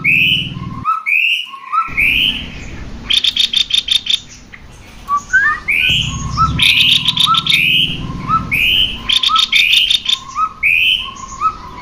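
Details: Cucak kopi, male and female, a recording meant to stimulate birds to sing. Bright rising whistles over lower twittering notes recur rhythmically, with dense buzzy clicking bursts and an intermittent low hum.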